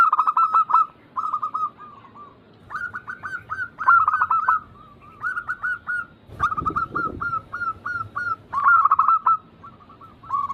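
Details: Zebra doves cooing in a recording meant to trigger song in hesitant birds: clusters of fast, bubbly coo notes in repeated phrases, a brief low thump near the middle.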